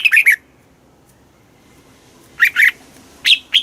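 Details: Red-whiskered bulbul in Thailand, song played to stimulate caged birds: short clipped bursts of bright warbled notes, a brief phrase, then scattered sharp notes after a pause.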